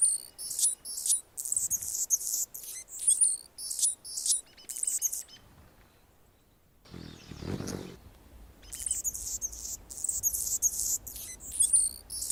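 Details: Perched on a branch in Golden Gate Park, San Francisco, California, an Anna's hummingbird sings rapid, repeated bursts of very high, dry, scratchy phrases, broken by a pause with a brief low rumbling noise, then resuming.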